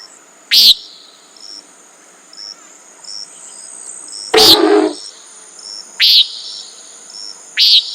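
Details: Four nasal, buzzy peents from a common nighthawk across several seconds, one lower and noisier, over a continuous high insect whine.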